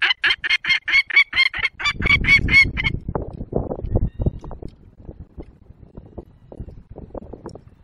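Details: Agitated wild peregrine falcon in the Barycz Valley, 19 March 2022 at 11:25, gives a fast series of harsh, grating cackles repeated about four per second, then stops; low rumbling and rustling noise follows.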